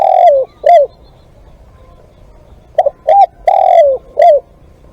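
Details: Spotted dove calling as a live decoy (ต่อสด). An end of one phrase is followed by a full phrase: two clipped coos, a drawn-out falling coo and a last short note, all mellow and low.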